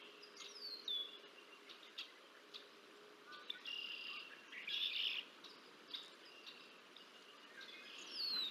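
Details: On the Decorah North nest, 30 March 2024, a bald eagle feeds its two young on camera; scattered high squeaky chirps and a few sharp downslurred whistles break up quieter gaps, with a faint steady hum underneath.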